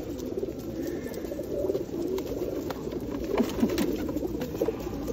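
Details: Pigeons being fed at Osu Kannon temple on a rainy day in 2021 give low, soft coos that murmur and overlap from several birds under a steady patter of falling rain.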